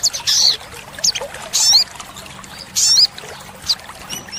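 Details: Olive-backed sunbird (sogon) singing for training caged birds: brief, very high, sizzling bursts with quick upslurred notes, spaced roughly every second, over soft hiss.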